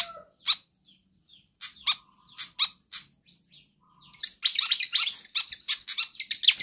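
A pied fantail gives sharp, high chips and squeaky notes in loose bursts, then a fast, scratchy chatter of rapid repeated notes. A small room's echo is heard.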